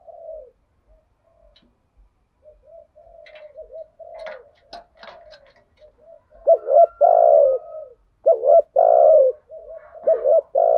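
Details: Spotted doves, male and female, in a lure recording used to stir decoy birds, with the full set of thúc gù and gáy gọi cooing styles: soft low hoots at first, then loud throaty rolling coos in bursts from about six seconds on.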